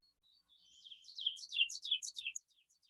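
An Ovenbird sings a loud, ringing series of about seven quick two-note phrases over two seconds, each louder than the last, on a quiet background.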